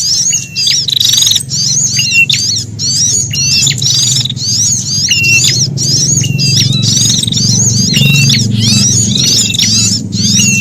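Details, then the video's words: Sunbird calls of fear and threat, combined with a prinia's cries as a bird-luring sound: fast, piercing, high-pitched chatter of sharp chips and brief whistled slurs, packed tightly together, with a low rumbling hum beneath. "Suara Burung Sogok Ontong Kombinasi Prenjak Atas Ketakutan"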